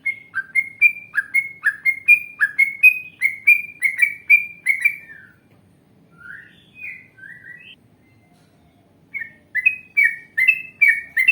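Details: Yellow-vented bulbul lure recording in long wild-style song: a fast stream of rich, bubbly whistles for five seconds, then a few softer scattered notes, followed by the rapid chattering run resuming.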